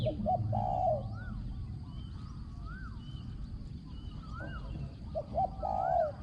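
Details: Spotted dove kept as a decoy for luring wild doves coos at the start and again near the end, each phrase a few short notes and then a drawn-out, mellow coo. Another bird whistles rising-falling notes in between.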